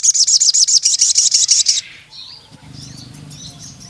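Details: Ruby-cheeked sunbird song opening with a brisk, regular series of bright high chips for nearly two seconds, followed by faint thin whistles over a low background hum.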